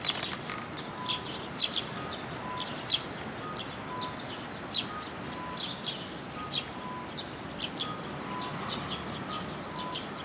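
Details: Juvenile Eurasian tree sparrows at a shrine on 1 June 2022, coming to a post to be fed: steady stream of sharp, high chirps repeated every second or so, with faint regular mid-pitched tonal beeps and low background rumble.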